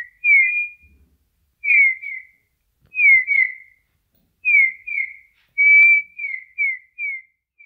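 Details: A Eurasian bullfinch singing in nature gives soft, mellow piping whistles that slide downward, in short groups of two or three about every second and a half. No other sounds. Eurasian bullfinch.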